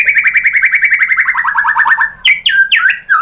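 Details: White-rumped shama, described as a female calling the male, played to make another bird answer: a fast even trill gradually dropping in pitch, then several sharp downswept whistles.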